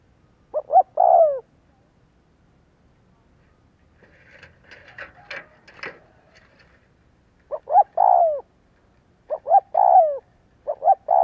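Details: Coos of a spotted dove played as a lure to provoke cooing: two three-part phrases, a burst of clattering handling noise, then more short-short-long coos with the final note sliding down.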